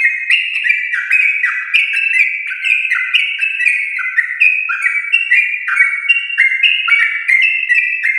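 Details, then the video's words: A yellow-vented bulbul, said to be from a champion line, sings a long, unbroken run of bubbly, mid-pitched whistled notes stepping up and down in quick succession, used as a lure track for home-kept bulbuls. "Trucukan gacor ropel panjang"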